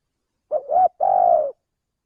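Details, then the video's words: Lure recording of a male spotted dove: two brief clipped coos, then a drawn-out, even, slightly falling hoot lasting about half a second, in a quiet setting. "suara pencingan burung tekukur belajaran pikat auto langsung bunyi"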